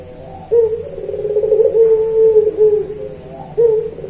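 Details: Puter pelung dove singing in a training recording: a low, wavering, sustained coo lasting about two seconds, followed by a short fresh coo.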